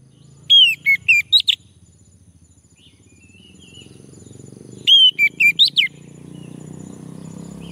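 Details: Male orange-headed thrush singing, prompted to sing: two bursts of five or six quick whistled notes, a few seconds apart, over a steady low hum in the background.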